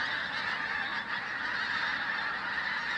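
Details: Pink-footed Geese flying past in a big flock at Flitcham, 5 January 2017; countless birds call together, making a continuous wall of bright, yelping honks without pauses.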